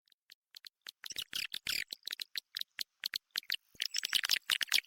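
Indonesian swiftlet lure call: rapid dry clicking and rattling chirps, bursts of several per second with brief gaps, high and buzzy throughout.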